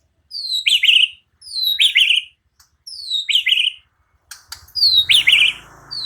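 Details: White-rumped shama repeating one whistled phrase four times, about once a second: a high note falling into a tumbling buzzy flourish, with faint low rumble near the end.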